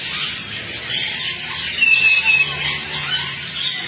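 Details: A colony of rose-ringed parakeets calling together: a dense, continuous wash of high, harsh squeals and screeches overlapping without pause, with no single caller standing out.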